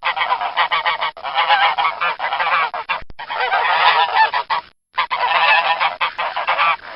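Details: Domestic goose calls: loud, nasal honks pile up in steady bursts, several birds overlapping, with short silent gaps near the middle and toward the end.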